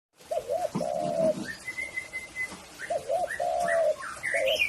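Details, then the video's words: Spotted dove (tekukur) giving low, hollow coos, a rounded double note then a longer drawn-out coo, repeated after a pause; thin high whistles from other birds run through the background. "SUARANYA BURUNG TEKUKUR"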